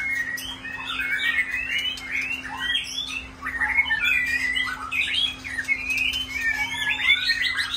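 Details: Rainy-day singing from kept shamas: rich whistled notes and squeaky, slurred phrases come in bursts, with a short lull near the middle before the song builds again. A steady low hum runs throughout.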